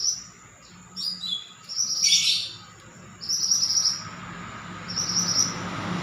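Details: Energetic Pied bushchat song of quick high buzzy phrases and short chips, about four bursts in six seconds, one louder rushing note mid-way, over faint background hum.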